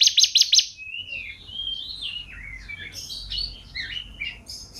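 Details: Champion canary opening with a short buzzy high trill, followed by softer varied warbled phrases that rise and fall in pitch.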